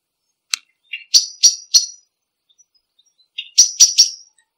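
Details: Common blackbird call: a soft short note, then three hard, clicking chinks in quick succession, a pause, and another short note leading into three more sharp clicks.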